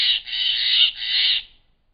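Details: In the Klamath Mountains in June 2017, Steller's jays give three loud, harsh, rasping notes in quick succession while mobbing a barred owl; nothing else is heard.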